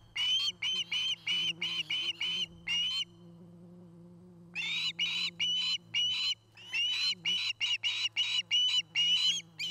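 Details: Osprey at a nest near Charlo, Montana, where a pair is building a new nest; a nest camera captures two runs of short, sharp whistled chirps in rapid series, broken by a pause of about one and a half seconds.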